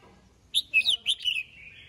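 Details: Morning song of a red-whiskered bulbul calling to the flock: after a brief pause, a fast run of about five liquid, slurred whistles, the last drawn into a fading, wavering tail.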